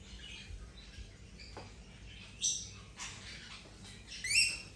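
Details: Rainbow lorikeet playing while recovering from an injury over ten days. It gives three short, harsh, rasping screeches, spaced about a second apart with the last one loudest, over a quiet background of faint rustling.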